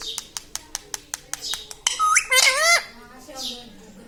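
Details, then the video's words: Pet parrot kept indoors and taught to talk; a run of regular sharp tapping clicks comes first, then one short squawky, strained voiced phrase that wavers and falls, followed by quiet. "Parrot talking mithu mithu || mai bolunga || मम्मी पापा बोलता तोता"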